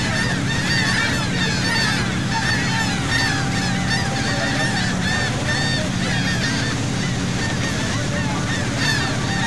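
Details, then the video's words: A flock of gulls heard from a sea boat at Saint Martin, Cox's Bazar, Bangladesh, keeps up a steady jumble of harsh, nasal, honking calls, many voices overlapping, over the deep drone of the boat engine. "Wonderful Seagull Sound from Sea Boat"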